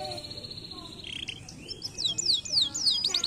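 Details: Canary song used to stimulate lazy canaries into singing: a long steady high whistle, then a quiet gap, then a series of quick descending whistled sweeps repeated in fast succession toward the end.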